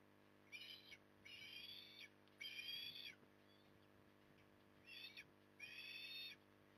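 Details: Osprey at Port Lincoln, Australia, recorded 9 October 2020 during evening feeding: five drawn-out, wheezy, buzzy calls, each roughly half a second to a second, given in uneven bursts against a steady low hum.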